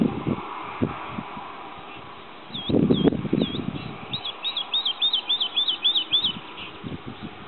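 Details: Woodlark (Lullula arborea), singing male recorded 2.7.09 at Sceaux-d'Anjou, Maine-et-Loire, France: a few slow, liquid looping notes that quicken into a fast run of about a dozen repeated 'lu-lu-lu' notes, with low thumps and rustling early on.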